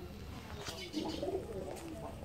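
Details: Domestically reared pigeons: a short burst of low, soft throaty cooing in the middle of the recording, partly wavering, set against a steady background hum and faint clicking sounds.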